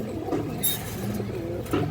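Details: Domestic pigeons of breeds including Gola, Muslodom, Khaki, Bagha, Kaldom, Chila and high-flyer, kept for sale in Bangladesh; low throaty coos with brief louder bursts, indoor room echo and faint background noise.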